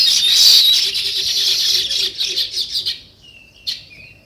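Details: Sparrows and weaver birds chirping in nature: loud massed high twittering that thins into separate quick chirps, then fades to near quiet broken by a few thin whistled notes and one sharp chip.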